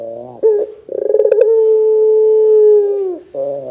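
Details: Barbary dove in vigorous calling form, used to prompt other doves to call; a short bubbling trill leads into one long, smooth, low note held nearly two seconds before dropping away, then a new coo begins.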